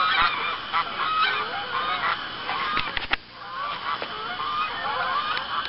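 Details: Geese on a pond in Arkansas at about sundown, 7:20 p.m. on October 1, 2014, as other geese fly in and land. Many birds honk together in a dense, overlapping chorus of nasal calls, with a brief lull near the middle.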